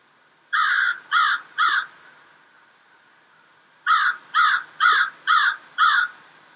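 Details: American crows, three birds that regularly visit a wooded yard alone or together; harsh caws in two bursts, a series of three then five, each call short and evenly spaced about half a second apart, with quiet background between.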